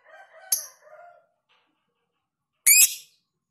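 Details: Lovebird in a tutoring recording of long ngekek song with tight pauses; a single sharp, very high chirp, then a rasping burst a couple of seconds later, with softer lower warbling notes near the start.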